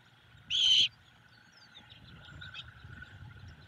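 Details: Great horned owlet begging its mother for food at the nest, evening: a single short rasping screech, followed by faint distant bird calls and low rustling.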